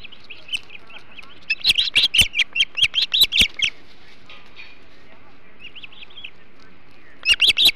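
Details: Osprey calling at a Hog Island nest while feeding on a large flounder, 21 July 2016: long stretch of rapid, harsh whistled chirps, a quieter pause with soft notes, then renewed loud chirping.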